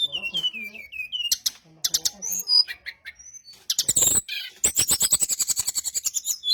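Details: Brown-chested jungle flycatcher song played to lure others into replying. A descending series of whistled notes, scattered sharp chirps, then a fast run of about twenty rapid, evenly spaced high notes.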